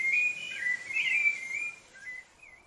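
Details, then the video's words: Rufous-bellied thrush (sabiá-laranjeira) from Brazil singing a run of clear whistled phrases that slide up and down in a mid-high pitch, loud at first and then fading into softer, scattered notes. "SABIÁ LARANJEIRA (Turdus rufiventris) Canto do Sabiá Laranjeira"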